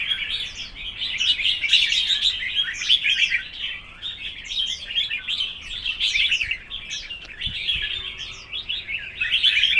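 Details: Several red-whiskered bulbuls competing in a singing contest, pouring out continuous rapid warbled and whistled notes with quick upward and downward slurs, barely pausing over about ten seconds.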